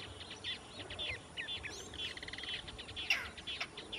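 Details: Female snail kite calling: a short rasping, stuttered rattle of rapid harmonic-rich notes, set among many thin, high chirps from other small birds and a steady background hiss.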